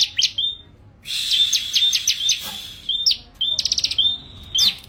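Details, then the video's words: Bar-winged prinia (ciblek) singing briskly: high, thin notes with rapid stuttering trills and short buzzy bursts, separated by brief pauses; faint low background hiss. "SUARA BURUNG CIBLEK GACOR"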